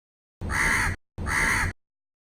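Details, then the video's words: Two loud, rasping caws from a crow perched in a tree, delivered back to back with a short pause, and nothing else audible. "crow call live from the tree"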